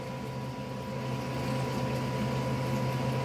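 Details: Indoor droning noise resembling an appliance or fan, with a constant low tone and no animal sounds.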